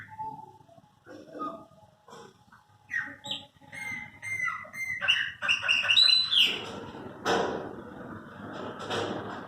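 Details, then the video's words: Several pet Chopi blackbirds in song, starting with sparse short notes and building to dense, squawky, buzzy phrases mixed with sharp clear whistles, over a faint low rumble. "Cantos, meus pássaros preto"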